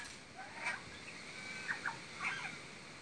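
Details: Magpie imitating horse and parrot sounds, giving a few brief squawky, sliding notes in small clusters over a constant background hiss.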